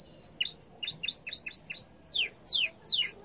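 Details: Yellow canary delivering a held whistle that slides upward, then rhythmic paired notes and longer descending sweeps, each repeated roughly three times a second, loud and clear.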